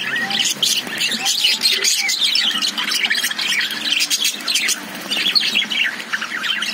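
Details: Lovebirds kept in a cage keep up a noisy chorus of scratchy squawks and quick high chirps, irregular and overlapping throughout.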